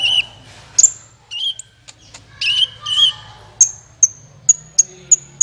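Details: Sunbird lure call known as kolibri ninja, used for trapping. Wavering whistled notes and chirps give way to a series of clipped, very high ticks, with a low background hum.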